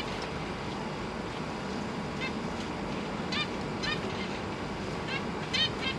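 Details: Zebra finches in a large cage with three juveniles and three newly hatched young, recorded on a GoPro Hero 8 with a faulty mic: short nasal, harmonic-rich beeps scattered every second or so over steady hissing background noise.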